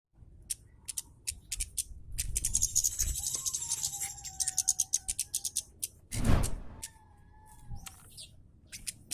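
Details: Scarlet-headed flowerpecker, known locally as kemade or cabe Jawa, giving a rapid, tightly delivered 'kasaran' of harsh, clicking call notes, offered as tutor audio for cage birds; a thin sustained whistle and a loud rushing noise burst partway through.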